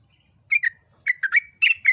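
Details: Yellow-vented bulbul (jogjog or trucuk) singing in the ngeropel style, a continuous lively delivery: short bubbly, slurred notes in quick clusters after a brief pause, over a steady high insect-like whine.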